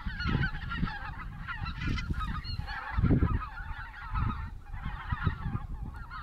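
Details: Cackling geese on 26 November 2016 keep up a busy chorus of short, high honks in surging waves. Strong low-pitched rumble, likely wind or handling, throbs beneath the flock.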